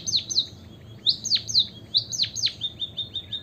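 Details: White-headed munia singing, used as a lure to encourage other caged birds to join in: loud, steeply falling high chirps in pairs, interspersed with and ending in a rapid series of short, thin, level high notes.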